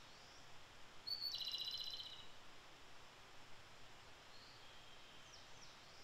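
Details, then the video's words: A Japanese robin (Erithacus akahige) in early May sings one phrase, a sharp high opening note then a fast rattling trill of about a second, followed by fainter high calls over soft hiss; Japanese robin. "コマドリ 鳴き声"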